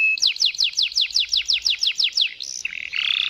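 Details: Waterslager canary in long rolling song: a fast run of about a dozen downward-sweeping whistled notes, roughly five per second, followed by a short high trill and a steady, buzzy rolling tone to close.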